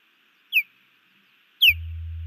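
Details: Nesting female osprey at Hellgate Canyon, Missoula, Montana, in June 2019, calling as the male defends the nest from an intruding osprey overhead. Two piercing downward-sliding whistled notes about a second apart, then a low electrical hum.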